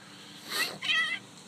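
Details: A female blue-and-yellow macaw, a pet, talks and jabbers on a summer day: two quick, raspy, nasal syllables in a high voice, like a short spoken phrase, with a faint low hum beneath.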